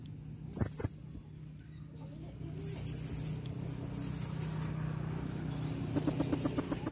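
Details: Female blue-crowned hanging parrot calling: thin, very high squeaky notes, first a short cluster, then a run of evenly spaced sharp chips, ending in a quicker burst of about seven, over a low steady hum.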